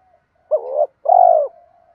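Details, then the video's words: Spotted dove coo meant to stimulate other doves to call: one phrase of a short upswept note, a brief wavering hold, then a long, even, vibrating coo fading into a soft trailing hum. "giọng chim cu gáy thúc gù dồn ép bổi lười gáy ức chế phải gáy theo"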